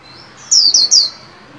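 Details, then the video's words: White-eye in a cage being trained to sing, new year 2021: three loud, high, falling whistled notes in fast succession. "Vành khuyên líu hay đón mừng năm mới 2021! Cùng kích bổi luyện khuyên nào!"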